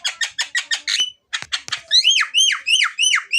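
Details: Javan myna singing, played to coax other birds into song: rapid harsh buzzy bursts, a short pause, then a run of loud squeaky whistles that sweep sharply up and fall away, repeated several times per second.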